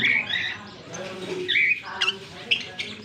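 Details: Fischer's lovebirds, a green pair, chirping on October 16, 2023. Harsh, squeaky high notes start the phrase, then a brief pause, followed by several short clipped chirps.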